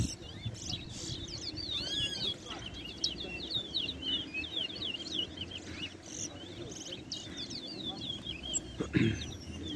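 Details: Competition singing by a towa towa at Ana Regina Park, Essequibo, Guyana, in 2021: dense, fast stream of high twittering, slurred whistles, nearly continuous, while a man counts aloud and people talk in the background.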